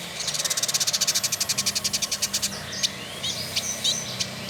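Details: Caged male Village indigobird, called trotol, in Bandung, Indonesia, singing as a tutor bird: a fast run of about twenty sharp repeated ticking notes, then a few scattered high chirps.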